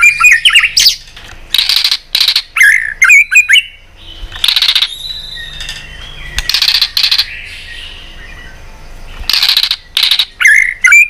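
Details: White-rumped shama giving tail-flicking tak calls to stir up fighting song: harsh broadband rasping bursts in quick clusters, about two a second, alternating with short bright whistled notes and rising slurs.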